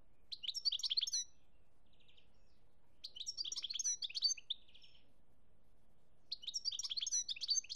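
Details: European goldfinch, Algeria 2017, singing short bright twittering phrases about every three seconds, each a cluster of high tinkling notes followed by a soft buzzy trill.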